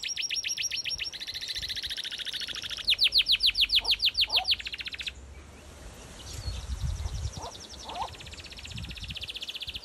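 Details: Canaries sing in a garden aviary during the breeding season: fast, bright trills and rolling chirps, with a loud repeated burst of about three notes a second, amid other aviary birds and light background noise.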